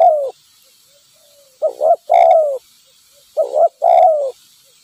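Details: A wild spotted dove answers during trapping with a decoy bird. Clusters of two short coos end in a longer, dropping, resonant coo, and the phrase comes twice with quiet gaps between.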